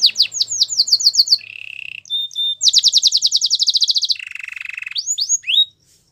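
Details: Belgian canary singing a fast, varied song: repeated downslurred whistles, a low buzzy trill, a brief pure note, then a long rapid rattling tour and rising sweeps at the end.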